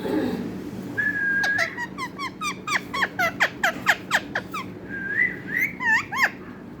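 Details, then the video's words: Talking parrot: a level whistled note, then a rapid series of sharp falling chirps with rich overtones, about four a second, closing with a rising whistle and a few more clipped calls. "clear talking parrot"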